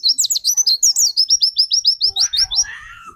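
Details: A white-eye singing as a lure for another white-eye pours out a rapid stream of high, clipped, down-slurred whistles, very regular and quick, ending over a low rumble and a brief lower-pitched note.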